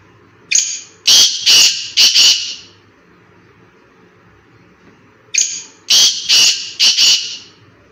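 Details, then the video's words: Black francolin in a forest giving its loud, rasping call twice. Each phrase opens with a short clear note and follows with three or four harsh, scratchy bursts, separated by about three seconds of near silence. "BLACK FRANCOLIN VOICE | جنگل میں کالے تیتر کی خوبصورت ذبردست آواز"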